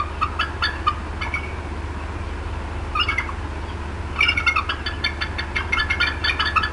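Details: Upset female bald eagle at the Decorah North nest in April 2016, sensing something in her area: clusters of fast, high chattering clucks separated by short quiet gaps, with a constant low hum.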